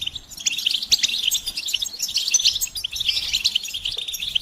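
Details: Group batbata chatter of European goldfinches, with mating and readiness calls meant to push silent males into song; continuous bright twittering with rapid buzzy trills that swell and fade in waves.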